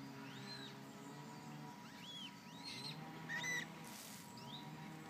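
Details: Young Eurasian coots near their parents utter faint, high, down-curving squeaky peeps, a few seconds apart, with a constant low droning hum beneath.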